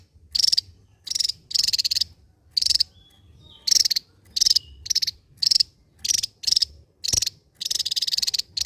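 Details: Javan white-eye, a Java endemic, in continuous ngebren song: a fast series of loud buzzy rattling bursts, each under half a second, following almost without break.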